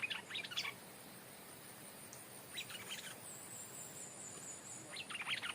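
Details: Stripe-throated bulbul kept as a decoy, calling at its original site where a new territory holder has settled. Three short bursts of high, scratchy chatter are separated by quiet pauses over steady background hiss.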